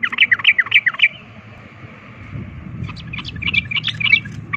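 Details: Combative sooty-headed bulbul song used to provoke other birds: a rapid run of looping whistled notes, a brief lull of low rumble, then scattered chirps returning.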